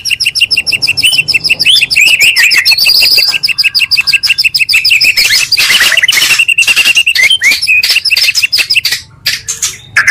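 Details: Two combined Oriental magpie-robin songs used as a lure to excite other magpie-robins: long rapid stream of repeated sharp chirps, over three per second, mixed with whistled notes and scratchy trills.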